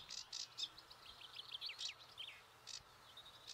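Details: A noisy sedge warbler in reeds at St Fittick's Community Park, Torry, gives a fast, jumbled run of scratchy chirps and high buzzy notes, spaced by short dry bursts, over faint hiss.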